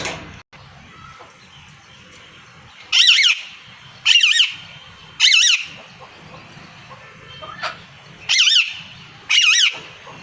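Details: Male and female parrots calling: loud, harsh, screeching calls in short bursts of about half a second, six in all, given in uneven pairs and singles over quiet background hum.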